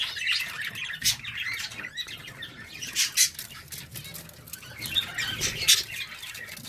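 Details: Home-bred pet budgerigars giving continuous high, buzzy warbling chatter broken by sharp, loud chirps every second or two, with faint low background rumble.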